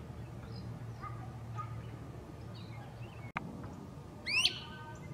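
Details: From forest treetops, a great crested flycatcher gives one loud rising wheep near the end after quieter bird chatter. A brief click breaks the steady low background hum.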